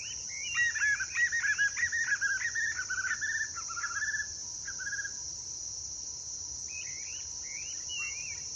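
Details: White-eared puffbird singing, recorded 23 June 2023 at the Univap sand pits, São José dos Campos, São Paulo, Brazil. Rapid, loud series of warbled, slightly falling notes for about four seconds, then softer scattered phrases, over a constant high insect buzz.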